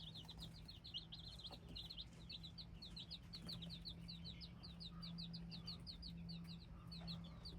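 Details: Group of hybrid chickens' chicks cheeping continuously, with bright, short, down-slurred notes overlapping almost without pause over a steady low electrical hum.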